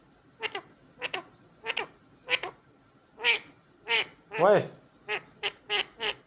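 An Indian ringneck parakeet talks in short, clipped, nasal phrases, roughly a dozen bursts in quick succession, with no other sounds behind it.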